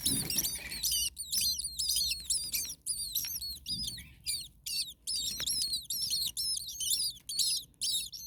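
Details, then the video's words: Common starling baby birds in an overheated nest, second day at nest two, with a parent nearby. Repeated bursts of shrill, rasping chirps about twice a second continue steadily over several seconds, with short quiet gaps. "Starling baby birds very hot. Day 2 Nest 2. Mama bird was close by making some noises."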